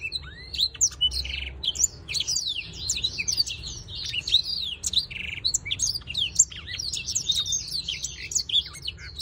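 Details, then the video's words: A black-throated canary, displaying in a breeding context, sings a fast, continuous warble of high, twittering notes with sweeping whistles and brief buzzy trills, running for the whole nine seconds in a quiet room. "blacktroat canary singing"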